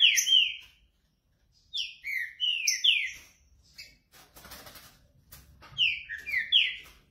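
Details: A green-winged saltator warming up gives three bursts of loud, rich, down-slurred whistles separated by pauses, with a brief rustling noise in the middle.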